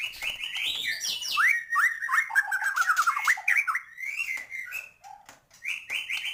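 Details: White-rumped shama in full song meant to stir up other birds: rapid, varied whistles and sharp upward-swept notes tumbling in a dense stream, dipping briefly before clear whistled phrases resume.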